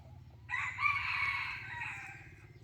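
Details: Decoy rooster, recorded 2023-2024, giving one long raspy crow that starts abruptly, holds a broad, harsh tone for nearly two seconds and fades gradually, with steady low hum underneath.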